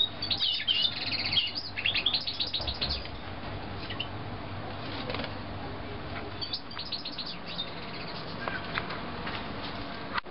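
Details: Young canaries of 2009, several birds chirping: a burst of rapid high twittering notes in the first three seconds, then scattered short chirps through the rest amid steady background hiss.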